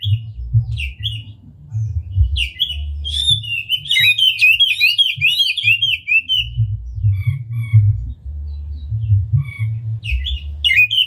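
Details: Oriental magpie-robin lure song for exciting other magpie-robins: isolated sharp whistles, a fast rippling warbled run in the middle, then spaced single notes over a persistent low rumbling hum.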